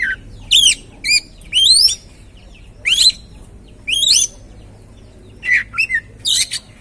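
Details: Kacer, the oriental magpie-robin, singing to stimulate another bird to sing: loud rising whistled sweeps and short sharp notes in separate bursts with pauses between.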